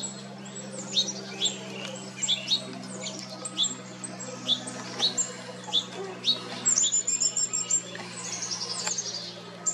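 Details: Painted buntings, male and female, summering on Jekyll Island, Georgia, USA, June 2022; sharp high chips spaced about half a second to a second apart, then a quicker twittering run near the end over faint low hum.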